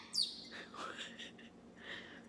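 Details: Pet caique parrot, male, talking after being asked whether tea is coffee; short squawky speech-like syllables with a high shrill note at the start and rasping calls after, a person's voice before and after.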